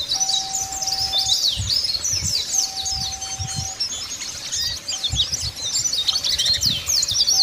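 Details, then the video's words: Dakun Bali white-eyes in the wild, calling rivals: dense, high, rapid twittering with overlapping chirps and short descending notes, continuous throughout, over a steady low hum that shifts pitch and soft low thumps. "PLECI DAKUN BALI NGALAS MANGGIL MUSUH"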